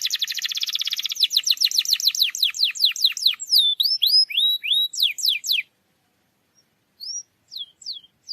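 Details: Canary song for stimulating a silent canary to sing; dense fast trill, then repeated descending sweeps and rising slurs, a pause, and a few scattered whistled notes.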